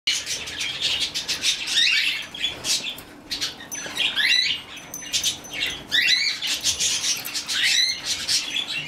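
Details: A rescued, hand-reared young female budgerigar chick chatters almost nonstop: high, scratchy chirps and clicks mixed with quick warbled twitters that rise and fall.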